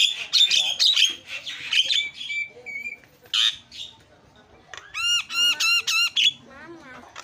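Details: Starling singing as a lure to set other birds off: harsh, squawky chatter and drawn-out notes, followed by loud looping whistles repeated several times.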